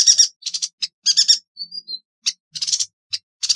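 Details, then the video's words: Yuhina singing for masteran songbird training: rapid, high, buzzy chattering bursts of stacked notes alternate with short gaps, with one thin whistled note partway through. "Burung Yuhina - Tembakannya Nyelekittt Tajamm Terpercayaa...!!"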